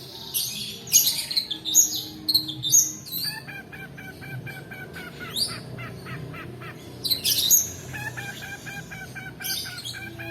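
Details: Long-tailed shrike 'roll' song, played as a lure for birds that sing little and as tutoring material: loud harsh squeals at the start, then a steady rapid series of even ticking notes, later more shrill bursts.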